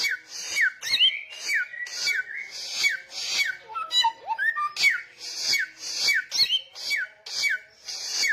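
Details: Samyong in loud, insistent song: rapid series of descending whistled slurs each with a breathy rasp, about two per second, a brief passage of lower warbled whistles near the middle, then the falling pattern continues steadily.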